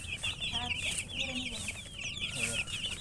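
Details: Chickens chirping: a dense chorus of short, high, downward-slurred peeps overlapping continuously, with a few lower soft notes beneath and steady background hum.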